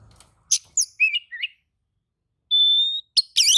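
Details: Oriental magpie-robin responding to another magpie-robin's song with a few chirps, a pause, then a long, steady whistle and a harsh burst.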